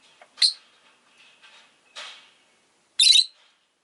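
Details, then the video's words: Rosy-faced lovebird (Agapornis roseicollis), a kept pet bird, giving harsh, shrill chirps: a sharp burst near the start, a softer scratchy one midway, then a loud rasping squawk near the end, with faint twittering between. "Lovebird Chirping Sounds"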